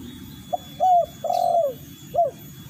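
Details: Spotted dove, wild bird lure call: a short coo, a held coo near 0.8 s, a longer falling coo, then a brief final note, low and hollow, over faint background murmur.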